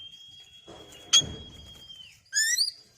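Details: Oriental magpie-robin (kacer) song meant to provoke singing: one long, steady, pure whistle held over a second before drooping, a sharp click, then a burst of rich warbled notes.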